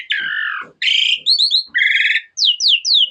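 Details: Harsh, grating phrases from an Asian pied starling, followed by short, clear downslurred whistles repeated in quick pairs and triplets.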